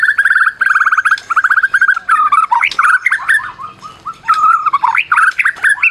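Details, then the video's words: Prize-winning Medan White-rumped shama kept as a caged bird, its song played to stir silent shamas into singing: repeated mid-pitched whistled phrases give way to varied, swooping and twisting loud warbles. "Masteran Murai Batu Medan Berprestasi !! Murai juara,, cocok pancing murai lain yg bisu"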